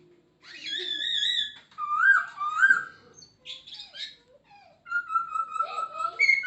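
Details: Masked laughingthrush, or Poksay Hongkong, singing energetically with much variety: wavering whistles, rising slurred notes, a burst of scratchy chatter, then a long steady whistle followed by mixed squeaky notes.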